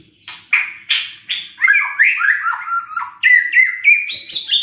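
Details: Murai batu (white-rumped shama) song intended to trigger lazy birds to sing: several loud harsh notes, then quick cascading whistled slurs stepping downward and back up to higher phrases.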